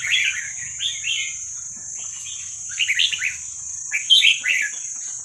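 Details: Young wild Vietnamese red-whiskered bulbul, meant for training young birds, sings four short warbling phrases of rapid slurred chirps about a second apart, with faint low rumble and a continuous high electronic tone behind.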